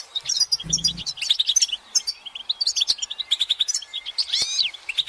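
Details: Chorus of European goldfinches giving mating and readiness calls to make males sing: continuous high, tinkling twitters and trills, with a brief low hum early and a loud swooping phrase near the end.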